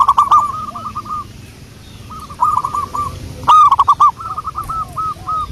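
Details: Lure recording of a local wild zebra dove: repeated bursts of rapid, rolling coos at a steady pitch, several phrases separated by pauses, with low background rumble and occasional clicking.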